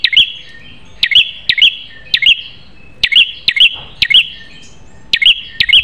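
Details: Sharp-voiced prinia song recorded as a tutor track; bright high chirps, each led by a sharp click, grouped in pairs and triplets roughly once a second.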